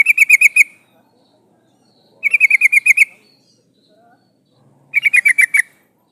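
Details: Sooty-headed bulbul female calling a male, played to lure males: three bursts of six to seven fast, evenly spaced chattering notes repeated roughly every two and a half seconds, background otherwise quiet.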